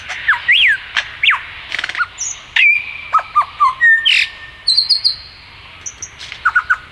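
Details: ['Superb lyrebird male in forest of the Dandenong Ranges, Melbourne, singing while partly obscured among trees. Lively mix of looping whistles, a long steady note, clipped downslurred phrases and high twittering notes in quick succession.']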